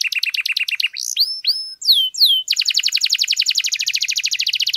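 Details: Canary singing a long, continuous song meant to rouse stalled canaries: rapid pulsed chatter, a few loud downward-slurred whistles, then a long, fast, evenly repeated trill of high chirps.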